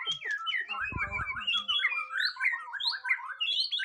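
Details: White-rumped shama during a first mental test, singing a fast rolling series of looping whistled notes, about ninety a minute, climbing gradually in pitch; a short low rumble sounds early on.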